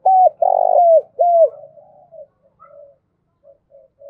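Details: Lure-call spotted dove, used to attract wild doves fast, gives one coo phrase: clear hoot, long buzzy coo, falling hoot. Soft low murmuring coos trail off after it.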